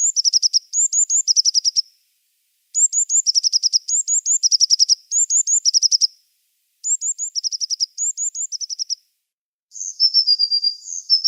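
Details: Tit calling in repeated phrases: each burst is a few thin rising notes followed by a quick rattling series, with short pauses between bursts and a buzzier call at the end.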